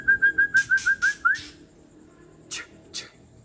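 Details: White-rumped shama, an old wild bird from Tangse, in rough 'trek kasar' song meant to rouse other shamas: a quick string of eight clipped whistled notes, then harsh scratchy bursts and two later rasps.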